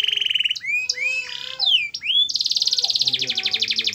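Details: Domestic canary singing a loud 'gacor' lure song meant to prompt other canaries to sing. It is a varied, bright medley of whistled upslurs and sweeping notes, then a long rapid buzzy trill and a faster rattling trill at the end.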